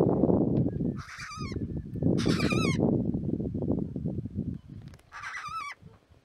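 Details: Pink (Major Mitchell's) cockatoo feeding on camel melons in Wyperfeld National Park, Victoria, giving three quavering, wavering falsetto calls, each about half a second long, over steady low rumbling wind noise.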